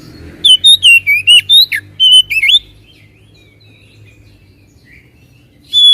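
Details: Oriental magpie-robin song serving as a lure to make a quiet bird respond: a brisk two-second volley of slurred whistles and chirps, a long pause with faint distant notes, then the start of a new bright whistle.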